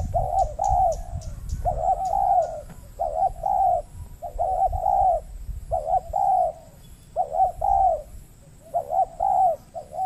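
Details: Spotted dove in the wild at a peat-soil trapping site in Riau Islands, Indonesia, answering a lure bird; long series of rolling two-part coos about forty per minute, with a few clicks and rustles early.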